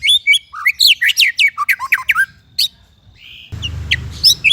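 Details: White-rumped shama song used to train other birds: quick sharp chirps and slurred whistles, a short pause with a thin hissing note, then a few more piercing notes over a faint background rumble.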